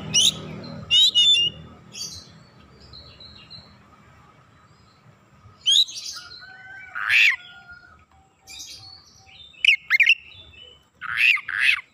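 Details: Oriental magpie-robin singing gacor-style lure song with isian phrases: brief bursts of sharp chips and whistles separated by quiet stretches, a long level whistled tone, and rapid high rasping flourishes near the end.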